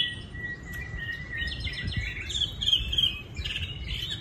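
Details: A captive Chinese hwamei in Hanoi, offered for sale, opens with a long steady whistle, then breaks into rapid, varied, slurred phrases, loud and bright, over a low background rumble.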